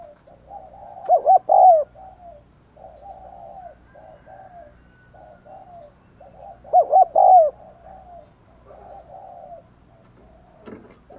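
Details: Decoy spotted dove cooing steadily to excite wild doves. A long train of low, wavering coos is broken twice by louder arched notes, with a brief clatter near the end.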